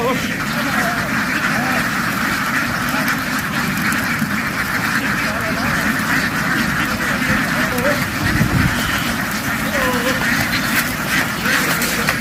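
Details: Farm ducks in a field run into the water and quickly jump back ashore, making a loud noise: dense, overlapping nasal quacks from many birds over constant broadband rushing noise, with a person's voice now and then.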